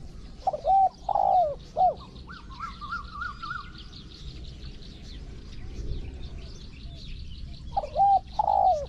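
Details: Spotted dove in a Thai decoy-trapping session: a three-note cooing phrase, then a fainter rippling higher trill, then a second cooing phrase near the end, with constant insect hiss behind.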